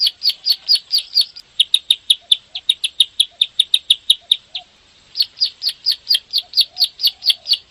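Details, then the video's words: Bar-winged prinia, a rice-field bird kept caged in Indonesia, used to provoke other caged birds to sing; rapid high clicking notes repeated in long runs, broken by a short pause midway, with faint low whistles beneath. "SUARA MASTERAN BURUNG CIBLEK SAWAH/PRENJAK SAWAH (KLIK) GACOR NEMBAK NGEBREN RAPET PANJANG"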